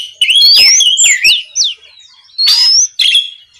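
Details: Oriental magpie-robin singing loudly to goad rival birds into replying, a night session: sweet rising and falling whistles sliding between notes, then a raspy burst and a final clear whistle.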